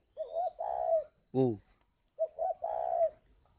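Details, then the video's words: Spotted dove kept at a Vietnamese bird farm in Ba Vì, Hanoi, calling: two soft cooing phrases, each two short notes then a long level coo. A man's brief 'ô' falls between them. "Gáy gọi Hậu 1"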